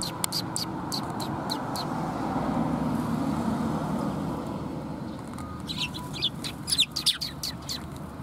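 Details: Sparrows gathering for food at a Tenmangu shrine in November 2021: a run of sharp chirps at the start, then passing traffic noise, then a busier flurry of twittering chirps near the end.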